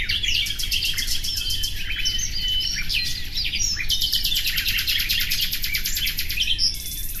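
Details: Long pulsed trills from a common nightingale, rapid repeated notes rolling on almost without pause, interspersed with clear whistled slides, over a low rumbling background.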